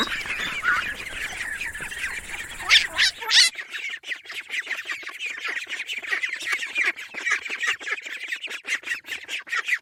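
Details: A flock of ducklings peeping steadily, high thin cheeps packed closely together; a background hum fades out after the first few seconds.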